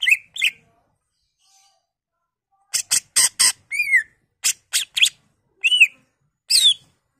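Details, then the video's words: Greater green leafbird song used to provoke singing in other leafbirds: whistled upslurs, then a rapid series of sharp clicking strokes and downslurred whistles, ending with two squeaky notes. "Pancingan Cucak Ijo Merangsang Cucak ijo lain"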